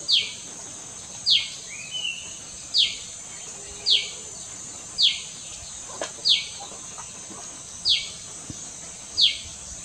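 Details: A small, loud common tailorbird behind a house at Doi Chorakhe, Mae Chan, Chiang Rai, on 26 June 2018 repeats sharp, high, downslurred notes about every one and a half seconds over a steady high insect drone.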